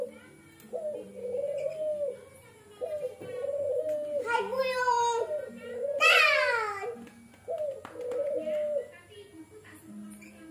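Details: Pet Barbary dove kept at home, cooing in repeated low, rolling phrases that rise and fall slightly, while people talk and a child's voice cuts in over the middle of the recording.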